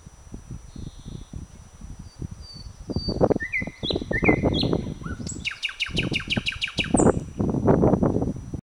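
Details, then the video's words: A thrush nightingale sings from the branches of a blooming bird cherry on 21 May 2009: clear whistled notes, then a rapid run of loud repeated clicking notes and a high whistle, over a steady low rumble. "Satakieli laulaa Nightingale is singing"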